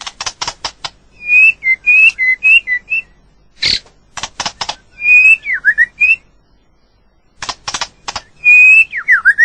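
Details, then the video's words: Natural recording of White-rumped shama song, with quick clusters of sharp clicks followed by short phrases of bright, wavering whistles, separated by brief pauses. "เสียงนกบินหลาหรือกางเขนดง l White-rumped shama sound"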